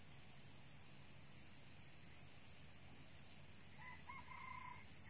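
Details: Red junglefowl crowing during trapping with a decoy bird: one short, hoarse crow of a few stepped harmonic notes near the end, over a steady high insect hiss and faint low rumble.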